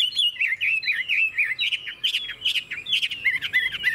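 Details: Caged Chinese hwamei in Vietnam, described as a good, fast singer with a long, wild-sounding song. Quick loud whistled phrases, bouncy and warbling, broken by sharp bright accents.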